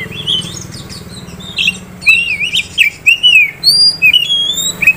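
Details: Oriental magpie-robin, a captive prospect bird offered by a dealer in Kisaran, singing loud whistled phrases: rising and falling slurred notes and sharp high upswept whistles in quick succession, with a low hum underneath.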